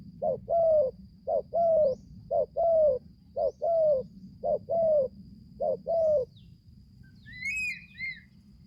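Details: Young spotted dove just starting to coo, on its first forest training outing, delivering six even two-note coos about a second apart, then falling silent as a brief high chirping from another bird follows over low hum.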